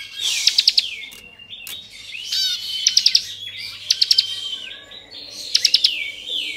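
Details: Bar-winged prinia, Kristal type, giving its varied song meant to rouse other prinias: four bursts of sharp clicking notes, each ending in a sliding whistle, with a faint background hum.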